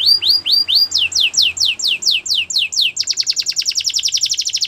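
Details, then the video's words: Canary song, a series of bright descending swept whistles about two per second, switching abruptly to a very fast, even trill of short repeated notes; faint low background hum. "All the canaries will sing along after hearing this canary chirp"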